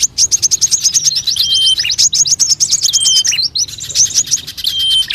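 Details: Birds calling in a lure recording used to draw in many bird species: rapid overlapping chirps and trilled whistles, high and continuous, with long level whistled notes cutting through and a brief pause midway.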